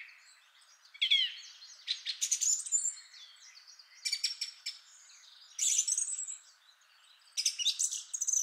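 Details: Male song thrush with a rich song of long, complex phrases: separate bursts of high twittering and whistled notes, roughly every one and a half seconds, with quiet gaps between.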